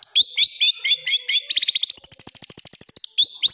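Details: Long-tailed shrike rapid-fire fill song meant to train birds at home: several loud squeaky slurred whistles, then a long, fast, regular burst of high ticking notes, ending with squeaky slurs again.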